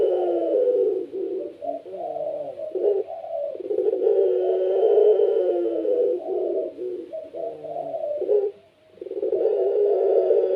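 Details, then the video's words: Caged puter pelung, a kept Barbary dove prized for a loud, persistent voice, delivers long, deep rolling coos low in pitch, repeated almost without pause, with brief gaps between phrases. "PUTER PELUNG SUARA GACOR||Bikin puter lain ikut bunyi."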